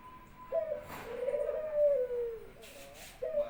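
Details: Pet Barbary dove in an Indonesian home greets its owner back from work with eager cooing. A crisp opening note leads into one long, rolling, slightly descending coo, and a second coo begins at the close amid faint rustling.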